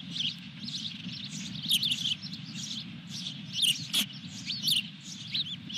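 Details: Osprey at its nest at Dunrovin Ranch with a fish, 23 June 2021: a steady series of high, sharp whistled chirps in short bursts, some rising and falling, over a constant low rumble and one brief click.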